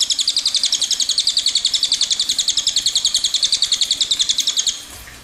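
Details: A cililin delivers its long rolling song (ngerol panjang), an unbroken trill of bright high notes repeated rapidly for almost five seconds before stopping.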